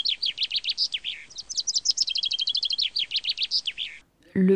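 A Common Chaffinch sings a bright, rapid run of high notes with a quick repeated series in the middle, followed by a man's voice speaking.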